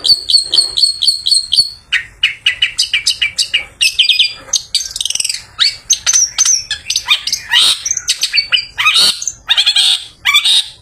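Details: Long-tailed shrike after a bath, singing to lure other shrikes in the afternoon; begins with a series of about eight evenly spaced high piping notes, then a fast jumble of chirps, buzzes and harsh notes.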